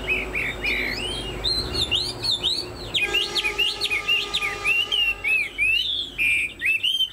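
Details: Chinese hwamei with a fanned tail and tall build, a kept songbird, singing loud, varied whistled phrases that swoop up and down in quick succession, with a few steady tonal lines in the background midway through.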